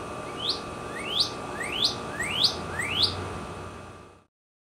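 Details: Spring song of a red bird near a house, heard from a kitchen window after its return from winter: five loud rising whistled notes, each sweeping upward, spaced roughly two-thirds of a second apart, then silence.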